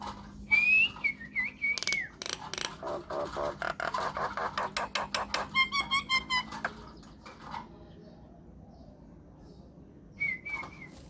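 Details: Myna lure song for calling other mynas to respond: a clear warbled whistle, a burst of harsh rapid chatter and clicks, a buzzy trill, then near silence before a final short whistle.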